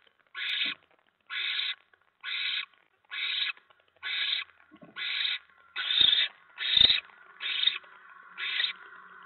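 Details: Evening scene at a barn owl nest as a mouse is delivered, November 2017: ten evenly spaced breathy hisses about once per second, growing slightly louder toward the end, with a couple of knocks.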